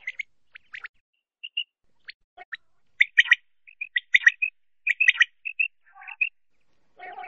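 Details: Common quail calls serving as a lure for netting: scattered sharp high chirps and clear whistled pips in irregular clusters, ending with a lower, buzzy rattling note.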